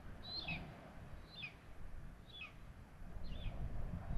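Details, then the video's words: At a nest in Tiszalök, Hungary, during feeding, a common buzzard gives four spaced, high, descending mewing notes about once a second against steady low-frequency noise. "Common buzzards, Tiszalök, Hungary - Myszołowy zwyczajne - Karmienie"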